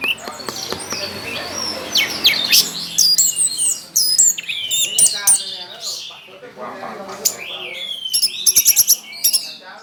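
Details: Powerful song of an Orange-headed thrush kept for singing contests, tail spread while performing: tumbling high whistles, rising and falling slurs and rapid chattering notes, ending in quick buzzy stutters.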